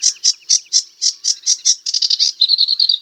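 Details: Sedge warbler song: a run of repeated high chirps, about four per second, then a faster stuttering burst ending in a rapid buzzy trill, all clear with no background noise.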